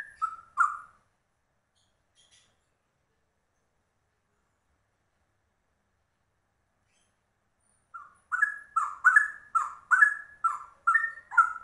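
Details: Straw-headed bulbul giving a rapid ropel-style song: two rich, low bubbling notes, a long silence, then a fast run of gurgling, warbled phrases repeated about once a second.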